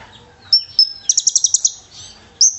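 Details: Konin, the brown-throated sunbird, in fighter song with cililin imitations, for training birds: two thin whistles lead into a rapid string of about eight high buzzy notes, ending with one sharp upward chirp.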